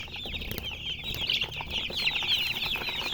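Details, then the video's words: Colour chickens chirp loudly and fast, sharp high peeps about four per second blending into a dense chorus, with a few soft thuds underneath. "silly chicken chirping sounds with murgi hen color chicken"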